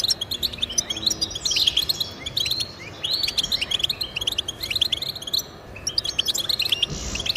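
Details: European goldfinch song aimed at pet goldfinches: sharp falling slurred notes early, then steady rapid twittering and tinkling trills, ending with a brief buzzy phrase.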